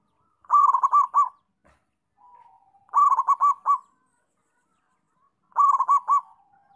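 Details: Local zebra dove singing actively, repeating its bubbling, rolling coo phrase three times at roughly two-and-a-half-second intervals, with soft low notes between phrases.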